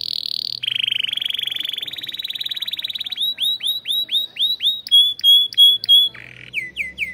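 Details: Canary in a breeding room, song said to fire up its chicks: a buzzy tone and a rapid rolling trill, then a series of loud rising-then-falling whistled syllables and short sharp notes.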